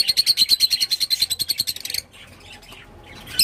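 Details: Rapid shrill chattering from a rosy-faced lovebird, a steady train of high squeaky chirps lasting two seconds, then quiet with a couple of faint calls and a sharp squeak at the end.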